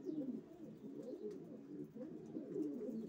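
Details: Low, burbling coos from racing pigeons, continuous and warbling over three seconds, throaty notes rising and falling without a break.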